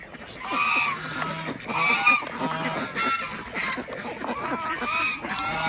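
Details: Village-farm Desi ducks in Andhra Pradesh, India, at morning egg gathering; a run of strong, honking quacks in groups about every second, with several birds calling together.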